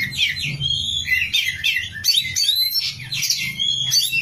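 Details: Kacer singing in gacor form: an oriental magpie-robin pouring out looping whistles, rising slurs and rapid chatter, phrases repeating about every second, with low hum behind.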